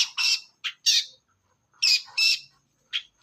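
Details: Young forest long-tailed shrike giving harsh, grating squawks in pairs separated by short silences, part of its nonstop ngacor singing.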